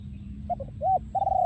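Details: Brief bit of a breeding male spotted dove's yon ku ang song, Thailand 2023: short stuttered coos, one arched coo, then a sustained flat pulsing coo over low background noise.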